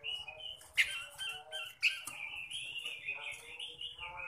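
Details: Robin, kept as a songbird, singing a varied chattering and whistled song with sharp notes and sustained trilled passages, in a quiet indoor setting.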